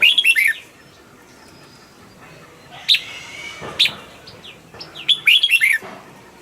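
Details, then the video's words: Caged red-whiskered bulbul delivers a quick burst of rolling whistles, a long pause broken by two sharp single notes, then another energetic warbled phrase. "นกปรอดหัวจุก นกปรอดหัวจุก เสียงนกกรงหัวจุก"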